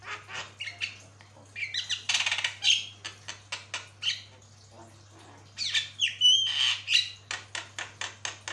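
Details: Rapid chattering song of a jalak kebo, or Javan myna, from a long tutor recording: dense harsh rasps and clicks, a loud grating stretch mid-way, then squealing whistles and sharp chips, with a constant low electrical hum.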